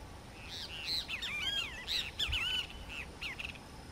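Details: A least grebe (Tachybaptus dominicus) in Arapongas, Paraná, Brazil, gives a fast, chattering run of high, twisting squeaky notes over about three seconds, with a faint background hiss.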